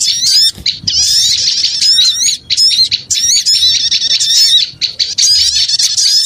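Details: Noisy small birds, used as a lure to attract small birds: a dense, busy chorus of sharp high chirps and squeaky twitters, pouring out almost continuously with a few brief pauses.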